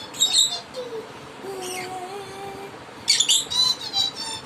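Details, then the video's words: A pet lovebird sings along with a person, giving two bursts of shrill, rapid chirps and twitters, with the person's low, drawn-out hummed tones in between. "Love Bird - Singing after me"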